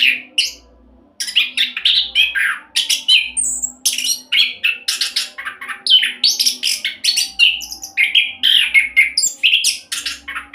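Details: Rapid 'roll speed' song of an orange-headed thrush from Indonesia, played to coax other birds into singing: a dense, nonstop torrent of varied chirps, trills and high sweeping whistles, with a soft low hum in the background.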